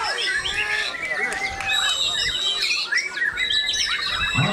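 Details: White-rumped shama (murai batu) from Magetan, performing a bowing display while singing in the ngecun style: a dense, varied run of clear whistles, slurred phrases and quick chirps that rise and fall, with a faint human voice in the background.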